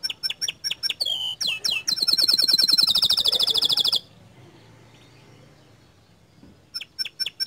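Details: Bottle-green canary tutor song meant to rile other canaries: regular high chips, a slurred note, then a loud fast buzzy trill lasting about two seconds, near silence, and the chips resuming.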